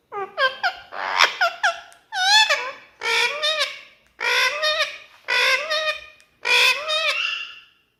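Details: Indian ringneck parakeet talking non-stop to its own reflection in a mirror, producing rapid speech-like phrases: a fast stutter of short syllables, then five drawn-out, wavering nasal words at roughly one-second intervals, indoors.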